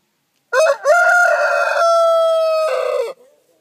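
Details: Sussex rooster crowing once: a short opening note, then a long sustained clear crow held for over two seconds, ending with a rougher drop-off.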